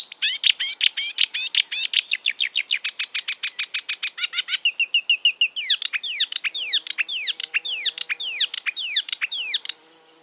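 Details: Marsh warbler mimicking other birds' songs: fast repeated downslurred notes, a rattling series of ticks, a brief nasal buzz, then evenly spaced sharp whistled sweeps over a faint low hum.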